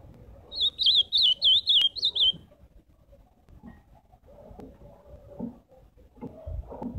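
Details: Live ultramarine grosbeak song: a short burst of lively, swooping whistled notes lasting under two seconds, then a quiet stretch with soft low knocks and faint background noise.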